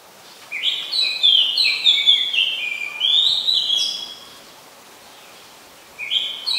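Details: Oriental magpie-robin, a common resident bird of Ubon Ratchathani, Thailand, recorded 20 September 2022: a rich run of whistled and warbled notes for about three seconds, silence, then a new phrase begins.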